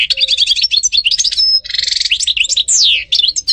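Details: European goldfinch singing a fast, unbroken stream of twittering, trilled and buzzy notes with quick rising and falling slurs, all high-pitched and close, against a quiet background.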